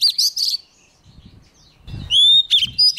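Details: Oriental magpie-robin, young, singing eagerly near an approaching wild bird. A burst of ringing trilled notes, then low rustling, then a long clear rising whistle and further sharp phrases.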